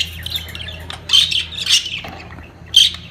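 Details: A budgerigar at mating peak gives three loud rasping squawks spaced over three seconds, with soft twittering between them and a low hum underneath.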